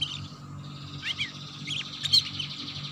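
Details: Young canary lure recording: thin high chirps and short twittering notes around one and two seconds, with a steady low hum and faint background tone throughout.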